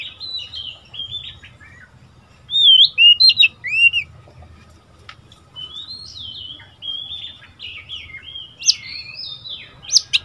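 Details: Young male Oriental magpie-robin, seven months old and kept as a caged decoy, answers wild birds with bursts of clear whistled notes, arched slurs and warbled runs, separated by quieter pauses.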